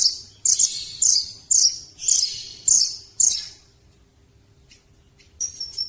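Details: Velvet-fronted nuthatch giving six loud, high, sharp chirping bursts, each a quick cluster of notes about half a second apart, then a pause and a faint thin high note at the end.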